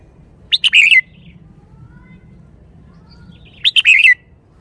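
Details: Caged red-whiskered bulbul singing in the 'shaking bottle' style, giving two identical short phrases about three seconds apart, each of sharp chirps ending in a warbled whistle, with faint softer notes and low hum between.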